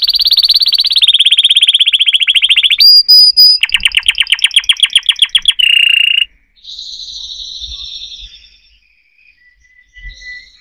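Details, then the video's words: Canary song of varied phrases: a steady rolling trill, a high whistle, a run of clipped repeated notes, a short buzzy burst, then softer thin whistled tones with pauses. "chant singing canaries 12 تغريد الكناري"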